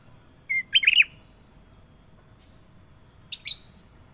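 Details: Kutilang emas, the sooty-headed bulbul, gives a short level whistle, then a fast, liquid, tumbling warble. About two seconds later comes a higher, thin, scratchy burst of notes.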